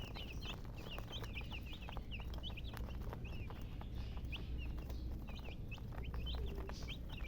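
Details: Baby chicks give high piping chirps, busy at first and then more scattered single peeps, among sharp clicks and a persistent low background hum.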